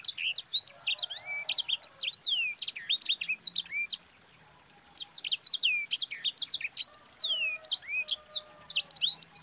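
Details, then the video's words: Long bout of energetic sanger song, used as a lure for other birds: rapid high whistles with steep rising and falling sweeps, one brief pause, then the fast varied phrases resume. "Suara Burung SANGER GACOR Ngerol Pedas paling ampuh untuk Pancingan"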